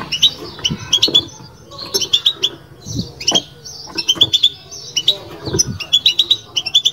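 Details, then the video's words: European goldfinch betbeta, a chirping twitter: bright, high, metallic chirps and short trills come in quick clusters separated by brief pauses, over low dull knocks and a faint steady hum. "بتبتة لو مغناش معها"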